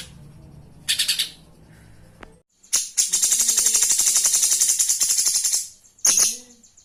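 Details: Flowerpecker known locally as konin, a live bird recorded as master material for cage-bird training: a brief high burst, then a sustained fast, sizzling stream of sharp ticks for about three seconds, ending with another short burst.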